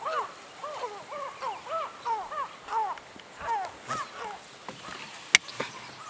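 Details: Tawny eagle calling in Kruger National Park, South Africa: a run of rough, down-curved barking notes repeated rapidly, fading toward the end, with a sharp click near the close.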